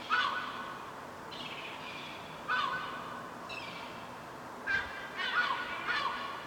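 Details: Young gulls, fluffy chicks on a rooftop, being fed by their mother; faint squeaky, harmonic calls come in short bursts with gaps, several overlapping near the end, over a soft background hiss.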